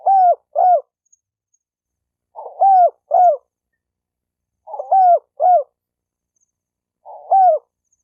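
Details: Spotted dove cooing meant to rouse males and females into fighting: paired low hoots, the first sometimes rough, repeated roughly every two and a half seconds, four times, in silence.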